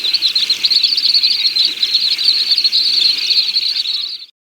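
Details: Little stint song: a high, steady, rapid trill of tiny ticking notes held at one pitch for about four seconds, then cutting off abruptly.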